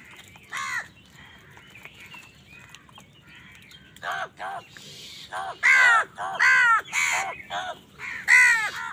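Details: Crows squabbling with other wild birds for food give harsh caws, one early, then a fast burst of five or six loud overlapping caws in the second half, with faint thin calls between.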